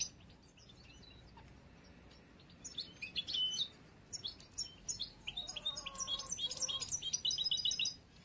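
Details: Young European goldfinch of the bruno amarillo mutation, hatched late this year and still in song training for contests, gives an immature song: bursts of high twittering, trilled notes from about the third second, growing denser and faster near the end.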